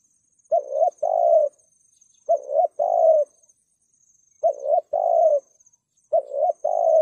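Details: Spotted dove calling in the 'thúc gù' style, used as a lure for wild doves: four evenly spaced double coos, each a brief note then a longer throaty one, deep and mellow, with a faint constant high tone underneath.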